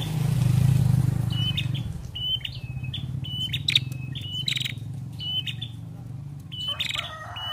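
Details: Female ashy prinia repeating short flat whistled notes in a steady run, partly masked by loud low rumbling traffic-like noise, with a brief harsher burst near the end.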